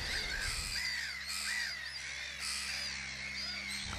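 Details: Black-headed gull breeding colony on wet grassland at an Arundel reserve, Sussex, in early summer. Chicks are taking first flights and adults guard against bigger gulls, giving a dense chorus of harsh, rasping, downslurred calls over a low hum.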